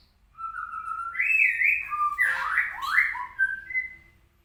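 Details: Medan-type white-rumped shama singing rough, harsh bursts meant for tutoring other birds: rising whistles leading into a tangled, buzzy flourish of swooping notes, then a clear closing whistle.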